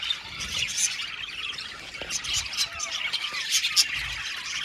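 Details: A colony of budgies chirping and singing in an aviary, a constant overlapping chatter of scratchy squawks and sharp high chirps with brief louder bursts, no single bird standing out from the crowd.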